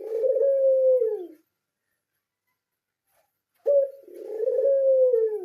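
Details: Low husky coo from a captive pied Barbary dove, trailing downward, then silence for about two seconds before a clipped note and another long descending coo.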